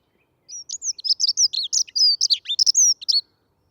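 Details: A Dunnock sings its fast, hurried song, a quick warble of high, thin notes lasting under three seconds, without pause and with no other sounds.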